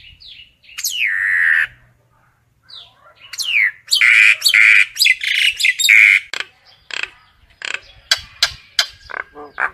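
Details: Common myna calling its flock: a loud mix of harsh squawks, downslurred whistles and chattering notes, bursts clustered mid-clip, ending in a run of short sharp clicks and chirps.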